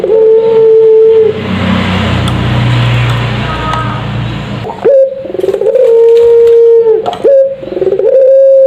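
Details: Puter pelung dove lure call: one sustained coo, then a stretch of broad rushing noise, followed by several drawn-out level coos separated by quick upward-sliding notes.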